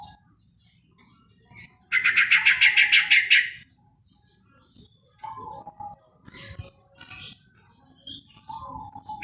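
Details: Sooty-headed bulbul calling to other bulbuls: a loud burst of rapid, harsh chattering notes lasting about a second and a half, followed by scattered short, lower whistled notes and chirps over a faint low rumble.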